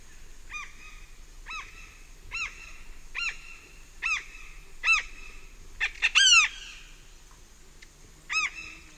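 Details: Large-billed tern (Phaetusa simplex) flight calls, close up, at Pacaya: nasal, honking, arched notes about once a second with a quick excited burst near the end; other birds and insects faint in the distance.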